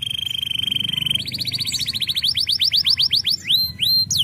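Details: Canary singing a loud, fast trill of rapid pulses, then shifting into a series of quick rising sweeps and a few longer upward-swept whistles.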